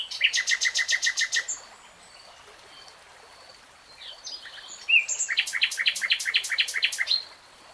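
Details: Common nightingale singing: a rapid, even series of sharp repeated notes for about a second and a half, a quiet pause with faint background birds, then another long burst of fast clipped notes.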